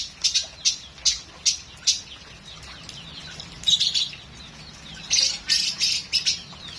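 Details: Lovebird singing a full, rich song: five evenly spaced sharp, high chirps, a pause, then a tight cluster of bright twittering notes and a final trio of shrill chirps.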